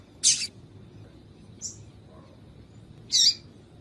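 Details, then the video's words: A female double-collared seedeater gives its call to rouse a male into song: a strong high chirp, a faint short note, then another loud chirp near the end, over soft low hiss. "Piado de fêmea de Coleiro para Esquentar Coleiro frio"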